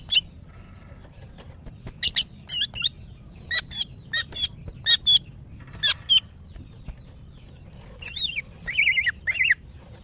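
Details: In breeding condition, a female greater green leafbird calls to males with spaced, sharp clicking chips and short whistles. Near the end comes a run of wavering, downslurred whistled notes. Background otherwise quiet.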